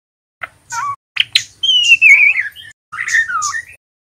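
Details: Young male white-rumped shama, a juvenile still learning to sing "ngeriwik" notes, used to provoke other birds into singing: slurred whistled phrases, a long wavering high whistle in the middle, then a falling whistle, with short sharp chips.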